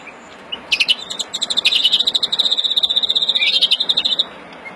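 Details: Verdune mutation European greenfinch in agitated breeding song, April 2016: a couple of soft opening notes build into a steady rapid trill of high pulses lasting about three seconds.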